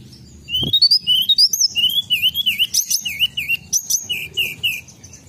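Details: A Sunda robin gives a fast, varied run of high, thin whistles, sweeping up and down with short slurred notes, continuing for about five seconds; one dull knock early on; a lure recording.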